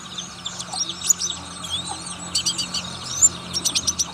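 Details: Oriental white-eye (Zosterops palpebrosus) in fast, high twittering song: thin chirps and trills bursting into quick clusters of sharp notes, over a faint low hum.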